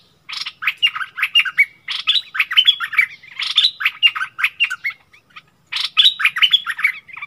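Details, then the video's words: Decoy bulbul in a heated duel with a wild bird, 27 March 2021: three long bursts of fast, jumbled warbling and chattering notes, sliding up and down, separated by brief pauses. "เสียงต่อนกดอกแตงEp.39 เปิดดอกดวลเดือดกับนกป่า Burung merbah lekir"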